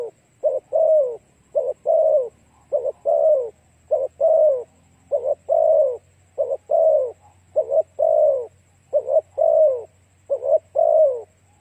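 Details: Spotted dove song used to lure other doves: a long, steady series of about a dozen coo phrases, each a stuttered short note then a longer falling coo, at a brisk rhythm.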